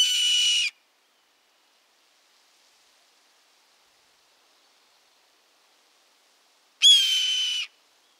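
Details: Red-tailed hawk (Buteo jamaicensis), North American raptor, giving its fierce screech: two hoarse, drawn-out screams, each under a second, about six seconds apart, with silence between.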